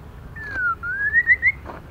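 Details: Female white-rumped shama calling to stimulate male birds: a short run of clear whistled notes, each rising slightly and climbing step by step in pitch over about a second, against a faint low hum.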